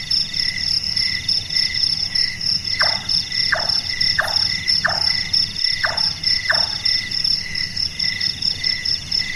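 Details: Carpentry-like knocking of the large-tailed nightjar, a night-active bird called burung tukang. A series of six quick chonk notes sounds in the middle of the clip, while crickets and insects drone steadily throughout.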